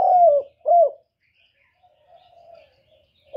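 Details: Spotted dove (Spilopelia chinensis) giving low, soft coos: two mellow notes close together, then a quieter drawn-out coo, with another coo starting at the end.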